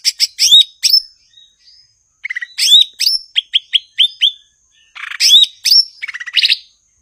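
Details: Blue-winged leafbird, a Southeast Asian songbird known as cucak ijo and described as gachor, singing a lively mix of sharp chirps, short rising-falling whistles and rapid buzzy note bursts, with brief pauses between phrases.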